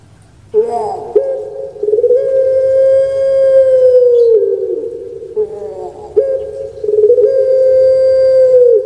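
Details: Puter pelung, a pet dove bred for its long echoing voice, opens with a short clipped note, then holds a deep steady coo over three seconds that droops at the close, followed by another drawn-out coo.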